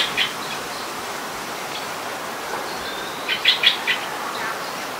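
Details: Streak-eared bulbul, Ubon Ratchathani, Thailand, February 2020: a single sharp chirp, quiet stretch with a thin whistle, then a rapid cluster of four bright chirps near the end over soft steady hiss.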